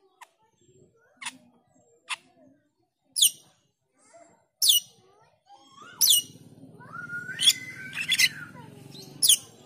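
Black-winged myna giving sharp, high chips about once a second, then a harsh chattering warble with rising whistled notes over a rough background hum.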